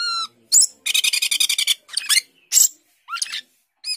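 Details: Asian glossy starling, called cucak keling or jalak keling, singing energetically: a clear whistle, then a fast rattling trill of about a dozen harsh notes, buzzy chatters and scattered sharp whistled calls.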